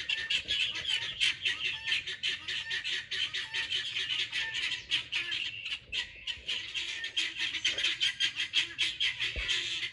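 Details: Pearl guineafowl in a garden, walking around eating bugs, getting loud when excited: dense, harsh rhythmic squawking chatter, many rapid grating notes repeated several times a second without pause.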